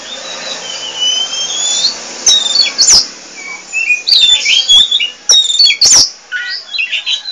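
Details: Oriental magpie-robin of the pied 'poci' variety singing vigorously and nonstop, with varied high whistled phrases, sweeping slurs and sharp clicking notes in uneven bursts.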